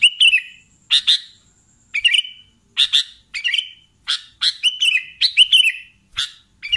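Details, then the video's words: Sooty-headed bulbul singing energetically: sharp tick-like onsets with short wavering whistled tails, phrases repeated at irregular intervals of about one second, with a thin high steady tone faintly audible behind. "BURUNG KUTILANG GACOR"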